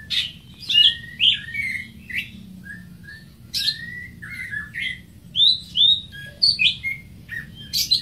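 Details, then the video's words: Greater green leafbird singing a varied run of short, bright chirps and slurred whistles, some rising and some falling, given in quick irregular bursts over a faint low background hum. "Greater Green Leafbird (Bird Singing 74)"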